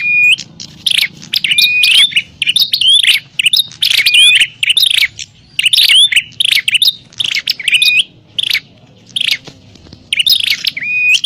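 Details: Bar-winged prinias calling in a noisy fight, used as a lure for wild prinias: steady run of sharp buzzy chirp bursts and hooked whistles, repeated about every second with short silent gaps.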